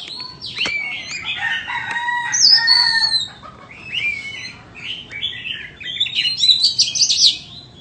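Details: White-rumped shama offered for sale, singing loud, varied phrases: clear whistles, sharp upward sweeps and downslurred notes, with bursts of high twittering between louder passages and short pauses.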